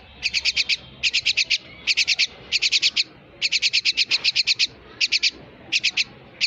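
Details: Pet myna giving rapid bursts of sharp, high chirps, each burst of four to eight quick notes, separated by short pauses, with a faint low background hum.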